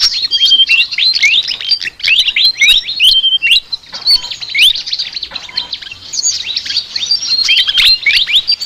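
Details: Long flycatcher chatter made of energetic, scratchy high phrases with rising slurs and brief pure whistles, pausing briefly midway before resuming just as densely.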